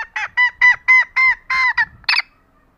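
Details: Female green junglefowl cackling to lure idle males: a run of loud, nasal, honking notes about a quarter second apart, ending in a harsher, higher burst.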